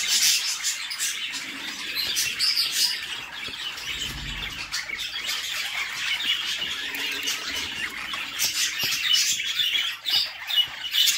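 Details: Inside a nest box, a mother budgerigar feeds her babies as they beg with constant harsh, buzzy high squeaks in rapid irregular bursts, briefly swelling louder near the end.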